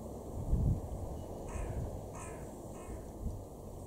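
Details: A carrion crow in a garden in Weener, East Frisia, northwest Germany, in May 2021, gives three harsh, hoarse caws about half a second apart, over low wind rumble and a brief thump.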